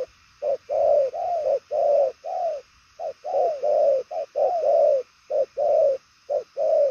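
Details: Spotted dove of the purple-legged 'đồng son chân tím' kind, cooing fast and far-carrying; clipped short notes alternate with longer downcurved coos in quick bursts, separated by brief silences.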